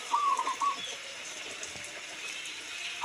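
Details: Local zebra dove giving one brief, rapid, stuttered coo phrase at the start, followed by rain hiss and faint background sounds.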